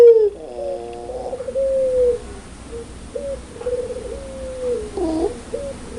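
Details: Spotted dove of the pelung type, singing loud and clear: a falling note, then a series of mid-pitched level coos and short hooked notes spaced by pauses, over light background hiss.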